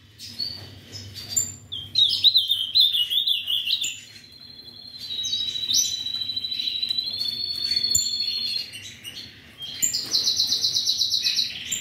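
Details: Ultramarine grosbeak at a breeder's gives a long varied song: a wavering trill, steady whistled stretches and a final buzzy burst, amid frequent high chirps of other caged birds.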